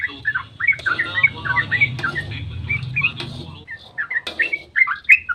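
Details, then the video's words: Dawn ropel song of a yellow-vented bulbul used as a lure for other bulbuls; quick liquid warbled notes over a steady low hum that stops partway, then clearer bubbly phrases. "trucukan GACOR ROPEL SUBUH PANJANG buat pancingan trucuk agar cepat bunyi"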